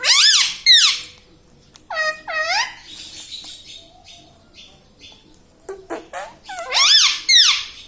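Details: Pet ringneck parrot that talks, said to say mummy, papa and radhe radhe. Loud harsh harmonic squawks with arching, rising-falling strokes come in bursts at the start, middle and end. Quieter gaps lie between them, and faint clicks are audible.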